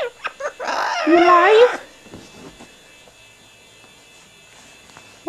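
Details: Pet female double yellow-headed amazon playing under bed sheets indoors, sounding mad but enjoying it: a burst of warbling, wavering harmonic squawks lasting about a second, with scattered clicks and rustles, then quiet room.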